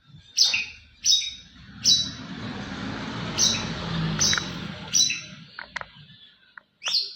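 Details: Contest-champion white-rumped shama singing: sharp, high notes repeated roughly every three-quarters of a second, some with a quick downward slur, over a steady low rumble of background noise.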